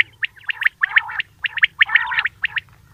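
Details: Quail calling in a clean recording made at Eid for hunters: dense bursts of short, bright chirping notes, often in quick pairs or triplets, over a gurgling lower undertone and a steady low hum.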